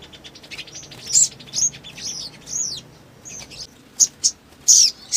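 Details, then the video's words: Crimson sunbird in energetic song, used to provoke rivals, gives a fast, very high run of thin ticks, then sharp arched chirps and quick sweeping squeaks in short bursts. "SOGON GACOR NEMBAK PANJANG"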